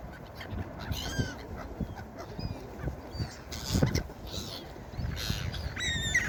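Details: Gulls on a beach calling intermittently with thin, slurred squeals, some distant and faint, a louder pair near the end, all set against rolling surf and a brief splash.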